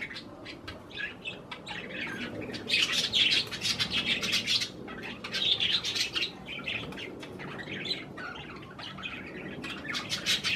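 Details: Several pet budgerigars eating cherry tomatoes, giving busy bursts of high chattering chirps and warbles, dense and fast with brief pauses, some wing flutters mixed in.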